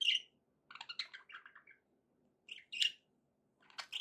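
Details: Pet budgerigars described as happy make short scratchy chirps and a quick series of clipped, stepping warbled notes, with a faint low hum in the background.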